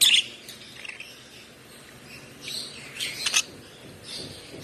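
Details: Softer, thin chirping from a one-month-old hand-fed African lovebird chick: a brief sharp note at the start, faint calls in the middle and a quick burst of high chirps near the end.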